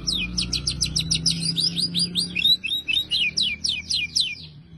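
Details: Oriental magpie-robin mimicking canary song, a fast run of high sweeping chirps and trilled notes, later slowing into distinct repeated pulses, with faint low hum behind.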